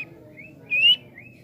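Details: Javan pied starling kept for training the bird's nerve, giving short clear whistled notes: a faint rising slur, then a louder bright upward-sliding whistle, then a soft falling note, over a low background hum.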